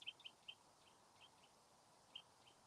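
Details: A Eurasian nuthatch in a garden gives short, sharp high-pitched notes, about eight in under three seconds at an uneven pace, over a steady low outdoor hiss.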